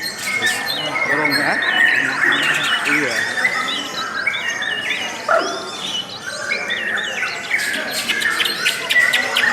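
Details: Lovebird song, long and melodious: dense, fast chattering of squeaky chirps and short rising and falling whistles, overlapping continuously with a steady buzzy hiss underneath.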